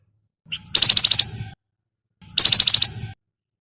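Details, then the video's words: Active Javan fulvetta in crecetan chatter, the sound used to stimulate other birds to sing: two bursts of about seven quick, bright, high chips each, roughly one and a half seconds apart, with a soft low hum. "BURUNG FLAMBOYAN GACOR CRECETAN BUAT PANCINGAN"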